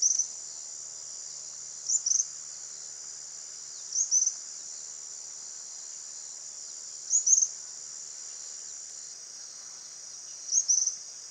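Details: Suiriri, the tropical kingbird, recorded at 10:58 on 31 December 2016 in Itatiba, São Paulo state, Brazil, on a Panasonic HDC-HS80: four thin, high, stuttering twitters spaced two to three seconds apart against constant shrill insect noise.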